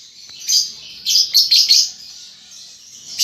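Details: Baby lovebird under five months learning to chatter in the ngetik and ngekek style: a thin, high, hissy background twitter broken by several louder scratchy chirp bursts.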